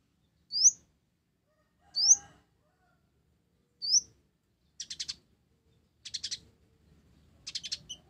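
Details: Olive-backed sunbird, the kolibri ninja of blorok variety, singing isian gereja. Three sharp rising chips at even intervals, followed by three short buzzy chattering bursts of rapid notes.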